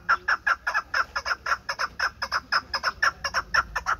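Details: Pamir chukar partridge kept as a hunting bird. It gives a steady run of sharp, clucking chuck notes, about two per second, each a short burst with a bright mid-range core, repeated without pause.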